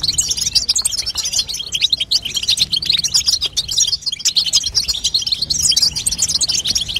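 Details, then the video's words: Calling of a female European goldfinch, used to encourage a young bird to sing, as a busy stream of rapid high tinkling chirps and twitters without pause. "بتبته لتقويه فرخ الحسون تخلي يغرد غصب عنو"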